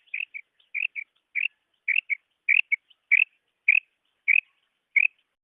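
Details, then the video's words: Female quail calling: paired short chirping notes, the first longer and the second clipped, repeated roughly every half second in a steady series against silence. "Female batair sound / مادی بٹیر کی 6 قسم کی کرک"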